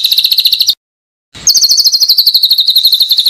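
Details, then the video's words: Training master song of a white-rumped shama, top quality: a short high trill, a brief silence, then a longer very fast trill that drifts slightly downward. "MASTERAN murai batu MASTERAN TOP BERKUALITAS"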